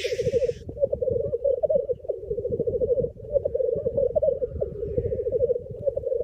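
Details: Black grouse lek in the Cairngorms on 28 April 2014, with 9 males and 6 greyhens visiting: males keep up a low, continuous bubbling coo in steady rolling phrases, opened by one sharp hissing sneeze.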